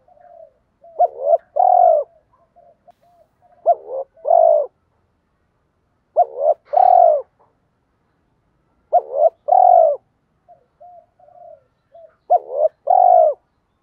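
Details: Spotted dove repeating its 'kích bổi' coo, meant to stimulate other doves, five times about every three seconds. Each phrase is a short stuttered coo and then a sustained low coo, with quiet murmured coos in the gaps.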